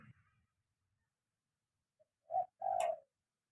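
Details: Spotted dove being trained to call on the ground: a single quiet coo phrase near the end, a short note followed by a longer drawn-out coo, after near silence.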